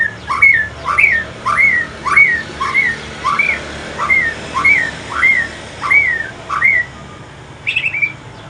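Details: Evening song of an Aceh white-rumped shama switching to pastol style. About eleven identical rising, whistled upslurs repeat at a steady pace of nearly two per second, then a short higher note ends the phrase.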